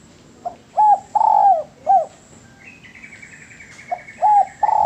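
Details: Spotted dove cooing, meant for training songbirds: two mellow, hollow coo phrases with a long middle note. Between them, another bird gives a higher, buzzy rattling trill.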